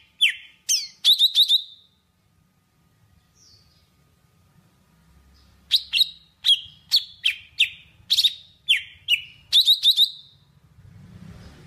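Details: Java sparrow calling its flock: a few sharp clicking chirps, a long quiet gap, then a steady series of bell-like notes that fall and hold, ending in faint rustling.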